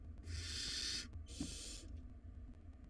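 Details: Wild barn owl chicks fighting over a big rodent in their nest box. Two long, rasping, breathy screeches come back to back, then faint scuffling sounds.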